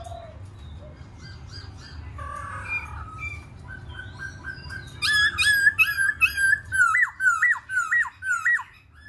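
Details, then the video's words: Black-throated laughingthrush song: quiet varied twittering and soft notes build into a loud series of sharp zigzag whistles, repeated more than twice a second. "KHƯỚU BẠC MÁ HÓT MÚA HAY"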